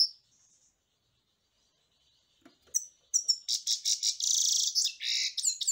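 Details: A European goldfinch gives a few thin high notes, then, after a short pause, bursts into continuous rapid twittering song with buzzy, tinkling phrases that run to the end.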